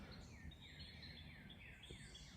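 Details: A distant Northern Cardinal at Baldpate Mountain near Trenton sings its "cheer, cheer, cheer" song: faint, clear down-slurred whistles, about two per second, over a steady low rumble of background noise.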